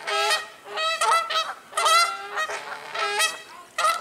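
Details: Several Canada geese squabbling noisily in spring at Colonel Samuel Smith Park; overlapping loud, brassy honks come in rapid clusters, roughly five or six bursts, with rough, strained tones and almost no pause between callers.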